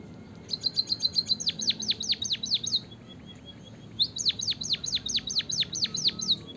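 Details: Munia lure recording to get idle munias singing: two phrases, each a rapid trill of high ticking notes running into a series of loud, steeply descending whistles, separated by a short pause.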